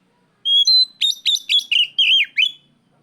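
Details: Oriental magpie-robin challenging a rival in loud ngeplong style: a long clear whistle opens, followed by a quick run of sharp, dipping and wavering whistled notes in a steady rhythm.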